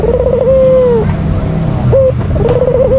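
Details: A kept white Barbary dove calls to provoke a rival. The end of a rolling coo falls away, then a short clipped note and the start of another trilled coo follow, over low background noise.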